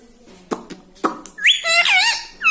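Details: Pet rose-ringed parakeet talking: two soft taps, then a quick tumble of harsh, wavering, speech-like squawk syllables and a final short squawk.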